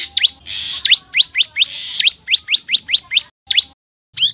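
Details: Common tailorbird calling: a loud series of sharp, rising chirps repeated rapidly, each note sweeping upward, with brief pauses and a short gap near the end.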